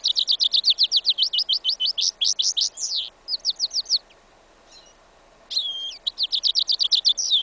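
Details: Goldfinch and yellow isabella canary hybrid singing outdoors in a field in winter, 11 January 2015: rapid runs of high, sharp twittering notes, several a second, a brief pause, then a looping whistled phrase and more fast trills.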